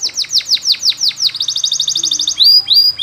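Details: Belgian canary singing, used as a training song for canaries: a fast run of loud downslurred whistles, then a rapid buzzy trill, ending in bright rising-then-falling notes, all high and clear.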